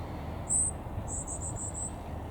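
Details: Goldcrest calling while stretching its neck, briefly staying still for the camera: one short very high thin note, then a quick series of five similar high-pitched notes, over a low background rumble.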